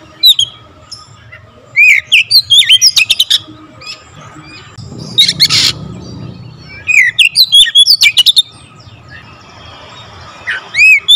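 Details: Oriental magpie-robin singing in close-packed bursts with full variation of fill-in phrases: repeated runs of loud looping whistles and sharp chips, a noisy rustle mid-way, rising arched notes at the end.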